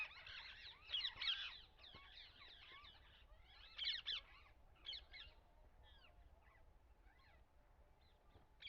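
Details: Parrots calling together: a dense run of harsh, chattering squawks in the first six seconds, with louder bursts near one and four seconds, then a few scattered single calls over quiet outdoor background.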